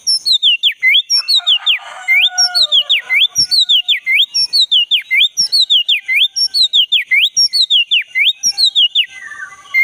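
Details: Oriental magpie-robin of the black-breasted form repeating a sharp, looping whistle about once a second for nearly ten seconds, a steady rhythmic phrase. Used to coax a silent caged bird back into song.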